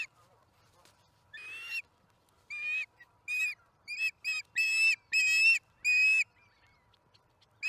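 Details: Osprey bringing a fish to the Charlo nest, camera-recorded April 26, 2019, early afternoon; separate high, harmonic whistled notes, some short and paired, others longer, given in irregular bursts with quiet gaps.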